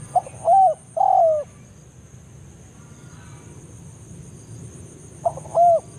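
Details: Forest lure call of a spotted dove (tekukur) drawing in a rival: two phrases about four seconds apart, each a short note followed by a longer mellow coo that dips at the end, with quiet hum between.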